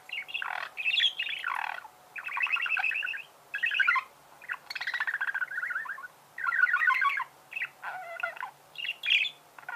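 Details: Pet budgerigar chirping indoors: rapid warbled chatter in bursts around one second long, buzzy trills and squeaky notes rising and falling, with short pauses between phrases and a faint steady hum behind.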